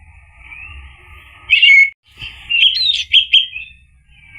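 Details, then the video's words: Lure song of an orange-headed thrush, ngeplong style, for prompting a mute bird to reply. A short loud whistle, then a jumbled phrase of bright chips and whistles over a constant hissing background. "PANCINGAN ANIS MERAH agar NYAUT jadi BUNYI GACOR ikut NGEPLONG ampuh buat terapi macet bunyi"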